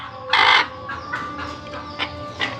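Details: A native (deshi) hen in Bangladesh, having just laid an egg, gives one loud, harsh squawk followed by short, clipped clucks spaced about every half second, her egg-laying cackle.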